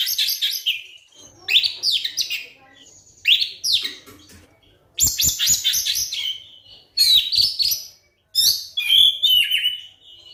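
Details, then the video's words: Oriental magpie-robin (kacer) lure song used to get silent birds singing again: dense, energetic bursts of high chattering and whistled notes, rich and scratchy, in phrases of one to two seconds with short pauses, faint clicks below. "suara pancingan kacer terbukti ampuh bikin kacer macet langsung on gacor"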